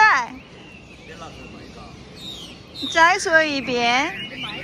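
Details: Crested myna met in a park, mimicking human speech while chatting with a person: hoarse, voice-like harmonic phrases with thin whistled notes in between, louder bursts near the end, and faint outdoor background.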